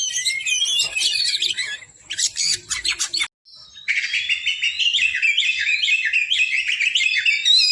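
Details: Oriental magpie-robin (kacer) in a long, loud tutor recording used to stimulate reluctant birds: warbled phrases and harsh clicking notes, a brief silent break, then a fast string of rising whistled notes.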